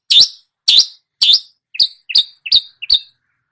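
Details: Long-tailed shrike imitating songbirds: three drawn-out, slurred chirps that dip and rise, followed by four quicker two-part notes with a low lead-in and a sharp high tail.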